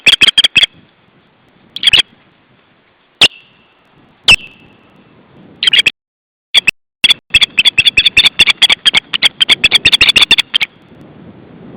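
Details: An osprey alarm call, recorded July 2012 in Estonia: sharp, high whistled chips, first singly with pauses, then in a fast, steady run of about fifteen notes.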